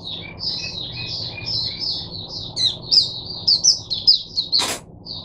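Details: Oriental white-eye acting as a teacher bird, recorded 22 January 2022, gives a flowing high warble with softer lower notes early on, rising into sharper twittering bursts and one sharp click near the end.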